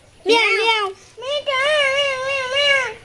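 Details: A talking pet parakeet, possibly a young bird, at the Mirpur 1 bird market in Dhaka, Bangladesh, mimics human speech in two high, nasal phrases: a short one, then a longer wavering one.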